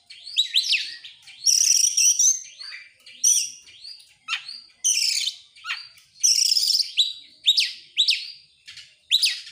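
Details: Singing Oriental magpie-robin, worked up and spreading its tail, delivering varied rapid-fire phrases: high sustained whistles, harsh buzzy bursts and sweeping slurred notes that tumble lower, repeated with short pauses.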